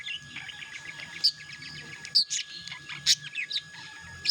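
A budgerigar chatters in rapid, scratchy warbles broken by sharp high chirps, typical of courtship.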